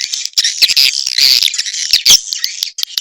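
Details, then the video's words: Swiftlets in an Indonesian 'sp kompak' recording for swiftlet farmers make a continuous, high, scratchy chatter with sharp squeaks, and one louder shrill note near the end. "sp kompak burung walet"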